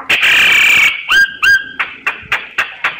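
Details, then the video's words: Myna giving a long harsh screech, then two clear upward-sweeping whistles followed by a slow series of sharp clicks. "Tiếng chim Sáo hót giọng chuẩn hay"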